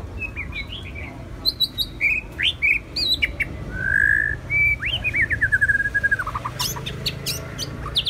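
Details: White-rumped shama, one of two birds, singing clear whistled phrases, including a long pure rising-falling whistle, then a rapid descending series of short notes and a few sharp high clicks over a quiet hum.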